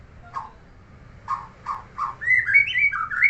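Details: Neighbour's white-rumped shama singing: four separate low, rough chuck notes spaced about half a second apart, then a fast, loud string of bright whistled slurs rising and falling, with a steady low background hum.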